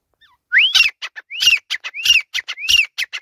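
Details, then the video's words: Male grey francolin calling, a loud ringing phrase repeated about every 0.6 seconds: each begins with a rising whistled note followed by several sharp, high clipped notes, delivered clearly with little background. "Teetar ki Awaz | Arni teetar ki awaz Teetar ladai | Francolin Sound | Male Teetar ki awaz"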